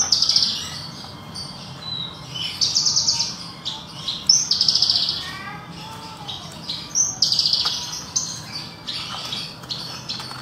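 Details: Pet Horsfield's bush lark (Branjangan Parva) sings from low in its cage while being sunned after a bath: a fast, varied run of high buzzy chatters and sharp chirps in short bursts, with a few lower slurred whistles mixed in.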